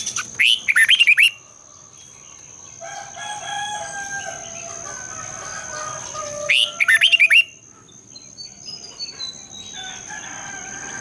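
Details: Long double-twisted morning singing by a red-whiskered bulbul. Two lively phrases of swooping, warbled whistles sound about six seconds apart. Softer distant bird calls and a continuous high electronic tone fill the gap.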